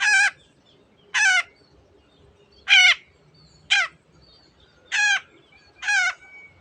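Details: Long-tailed shrike in lively 'teot teot' form, meant to stir other birds to sing: six rasping, nasal notes spaced about one second apart, one shorter and clipped, over quiet low rumble.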